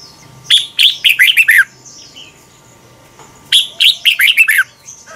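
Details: Tutor recording of a Thai Red-whiskered bulbul. Two lively bursts of rapid, slurred whistled notes about three seconds apart, with light twittering in between.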